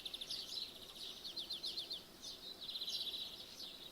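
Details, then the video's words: Birds singing in the morning, heard through an open window: quick high chirps and short trilled runs that are repeated densely throughout, with brief pauses, over a faint steady background hiss. "In The Morning With The Window Open Woken Up By Birdsong"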